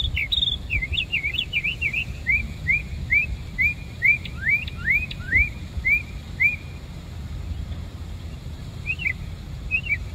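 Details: Bird singing in Savannah, opening with a fast jumble of high notes, then a steady series of short upslurred chirps about every half second, a few sharp downslurred notes, and a pause before two final chirps; constant low background hum.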